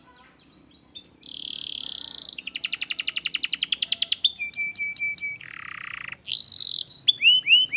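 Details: Canary song played to stimulate a lazy canary: a buzzy high tone, a pulsed rattle, repeated whistled notes, a lower buzzy stretch and closing rising whistles, with faint background hum.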